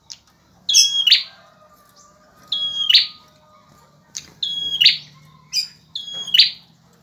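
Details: Male bar-winged prinia in lively song: four phrases, each a level, high whistle snapping into a harsh, rattling burst, spaced roughly two seconds apart over a quiet background.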